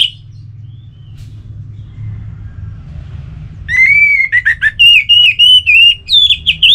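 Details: Orange-headed thrush, a kept songbird from North Bali, in relaxed song used to coax silent birds into singing. After near-silence, loud varied whistled phrases run in quick succession, some rising or falling, with buzzy notes mixed in. A low hum lies underneath.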